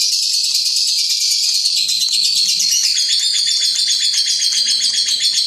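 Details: Lovebird singing its ngekek: a long, continuous, fast chattering trill of rapid high pulses, about four per second, sustained without pause across the whole stretch, with slight shifts in pitch and no other clear sounds.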